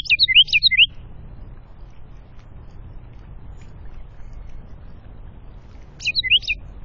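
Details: An afternoon wren at backyard feeders set against woods and a creek below the North Georgia Mountains, NW of Atlanta (about 1,060 ft), gives two short bursts of high, rapid, sharp twittering notes about five seconds apart over a faint low rumble.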